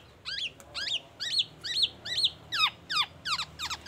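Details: Black-naped oriole singing oriental magpie-robin mimicry: repeated sharp upward-swept whistles with a ringing accent, spaced about every half second, then faster downward-slurred notes toward the end.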